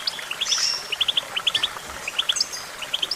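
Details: Goldfinch song: crisp liquid chirps in rapid groups of two to four, separated by brief pauses, with a thin high whistle near the start. The background is quiet.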